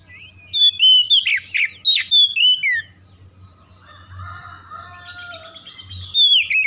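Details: Oriental magpie-robin song aimed at rousing birds into aggressive singing: a rapid, loud sequence of sweet whistles and harsh notes in the first three seconds, then softer warbling, ending with a bright whistle.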